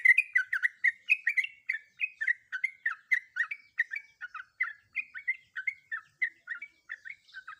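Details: Female sooty-headed bulbul in breeding condition calling a male, delivering a long steady series of short, slurred two-part chirps at roughly four per second, slowly softening toward the end.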